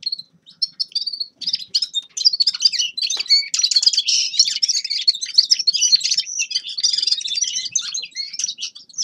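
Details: Grey-crowned goldfinch song opening with a few separate clear whistled notes, then building into a fast, dense jumble of bright twitters, buzzes and trills that carries on to the end.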